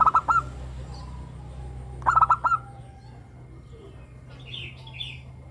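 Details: In the morning, a local zebra dove gives two short stuttering cooing phrases about two seconds apart. Each holds several quick hollow notes. Faint high chirps from another bird follow.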